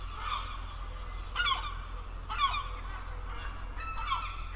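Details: A gull over the sea gives harsh, nasal calls that drop in pitch, about four in under five seconds, over a steady low rumble of wind or surf.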